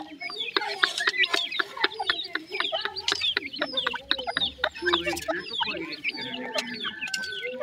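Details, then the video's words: Teetar, that is grey francolin, chicks peeping in high, slurred notes amid rapid sharp clicks and tapping, with some lower steady tones and soft chatter underneath. "Teetar chicks awaaz, Grey Francolin chicks voices"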